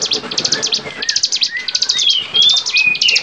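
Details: Bar-winged prinia song from a songbird training recording: fast, insistent buzzy high notes, several per second, over clear sliding whistles from another bird.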